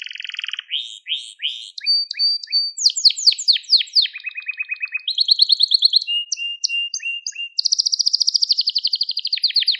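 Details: Song of a crested Gloster canary, recorded to teach young canaries: continuous high tours of repeated downslurred whistles, a low buzzy rattle, clipped chips and a final fast rolling trill, with no gaps.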